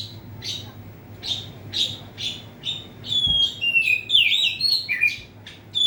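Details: Oriental magpie-robin kept in a covered cage, singing to provoke rival birds: a run of short repeated chirps, then a richer stretch of sliding whistles and trills, faint low hum behind.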